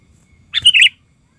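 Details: Sooty-headed bulbul (kutilang), a lure bird singing aggressively at wild birds, gives one brief bubbly phrase of a sharp note and a warbled, falling flourish, with near-silence around it.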